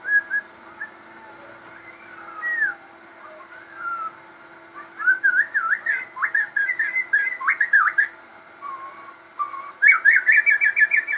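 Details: Captive crossbred shama singing energetically: rich whistled phrases, slurred notes and rapid trills, a fast rattling series near the end, over a constant low hum.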